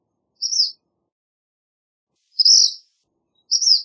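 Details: Black phoebe: three short, bright chip notes, the middle one fuller and buzzier, separated by uneven gaps of one to two seconds, otherwise quiet.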